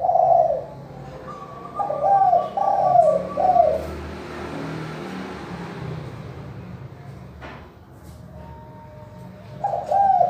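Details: Spotted dove cooing in the clear manggung style, played to coax reluctant doves into calling. Bursts of soft, rolling coos open the recording, then a long noisy gap, and a fresh coo phrase ends it.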